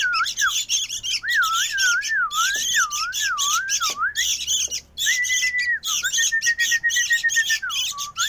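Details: Noisy sooty-headed bulbul chick giving harsh, raspy squawks in rapid bursts, each about half a second long, over a continuous wavering whistle that rises and falls.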